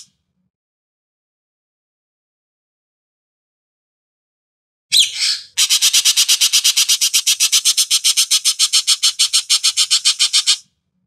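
After a silent opening, an Asian Pied Starling gives a rough burst, then a fast run of harsh, scratchy notes, about four a second, for five seconds.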